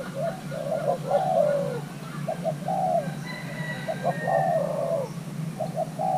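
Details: Coaxed young male spotted dove of Thai cross stock, being paired, coos repeatedly in low throaty phrases: short stuttered notes leading into longer drawn-out coos, thin whistles of other birds faint behind, constant low hum.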